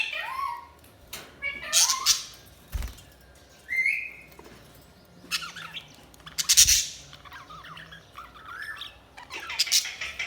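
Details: Budgies chirping in irregular bursts of squawks, rising whistles and harsh chatter, with several loud sharp calls and short quiet gaps.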